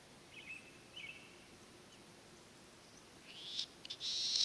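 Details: Latham's snipe, a spring breeding migrant hidden in the Senjogahara marsh at Oku-Nikko, Japan, recorded 9 May 2020, gives two faint high rasping notes, then a loud, harsh, rushing burst lasting about a second.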